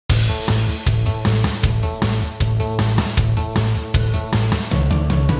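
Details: Loud heavy rock music with pounding drums and distorted guitar chords beating steadily throughout, and no animal voice audible.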